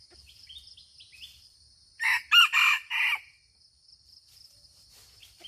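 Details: Aceh red junglefowl crow, a single harsh phrase lasting about a second, split into four strong pulses. Small birds give short rising whistles before and after, over a continuous high-pitched insect drone.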